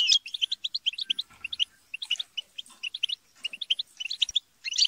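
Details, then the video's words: Group chatter of European goldfinches used to encourage singing: evenly spaced liquid chirps in quick series, a brief lull after one second, then renewed twittering ending in a buzzy flourish. "بتبتة وتستسة وشجار الحسون - اقوى بتبتة جماعية لتحفيز الحسون على التغريد"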